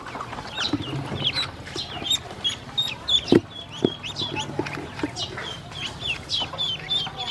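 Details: Hungry baby domestic ducks brought to feed and water, with high peeps scattered among knocks and a sharp clack near the middle, several birds calling unevenly.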